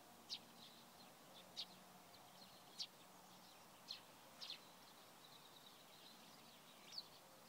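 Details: Eurasian tree sparrow at Provodov-Šonov, Czechia, on 24 March 2016, giving short, sharp chirps, single or in quick pairs, at uneven one-to-two-second intervals over a steady low background hum.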